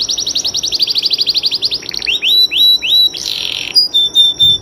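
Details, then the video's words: Singing canary used as a master recording for contest birds: a rapid high pulsed trill, then several separate slurred whistles, a short harsh burst, and thin high piping notes. "Kompilasi Masteran Kenari Gacor panjang full isian"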